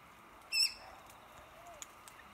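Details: Corella, one of many feeding on red cotoneaster berries in roadside trees during berry season, gives one brief, high, ringing screech with a sharp start; quiet background with a faint click or two.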